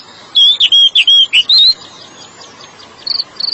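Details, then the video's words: Oriental magpie-robin (kacer) singing, a recording meant to coax stressed kacer into full song: a quick run of bright whistled notes rising and falling, then brief chirping pulses near the end. "TERAPI SUARA BURUNG KACER YANG STRES"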